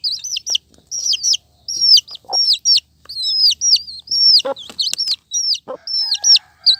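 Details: Brightly coloured baby chickens giving loud, high peeps that drop sharply in pitch, clustered in pairs and triplets over several seconds, with faint soft knocks underneath.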